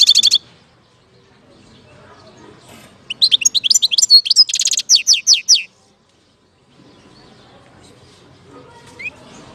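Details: European goldfinch recorded in Algeria in 2019, singing a short burst of rapid, twittering, tinkling notes with buzzy trills, lasting under three seconds between quiet pauses, with a brief chirp at the start and faint background noise.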